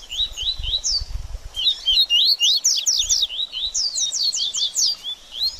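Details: Coleiro (double-collared seedeater) singing baderninha to warm up a bird after moulting. Steady high slurred notes build into dense sweeping bursts, with a few soft low thumps early on.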